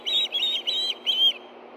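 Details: Ospreys at the Hellgate Canyon nest in Montana, evening of 9 September 2013, food calling while a fish is taken. Four shrill, high whistled notes in quick succession over a low steady hum.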